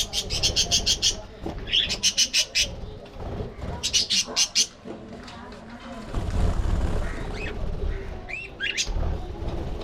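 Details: Pet budgerigars playing, fighting and grooming together give bursts of harsh, scratchy chatter in quick clusters, then a stretch of low rumbling noise with a few rising whistled notes near the end.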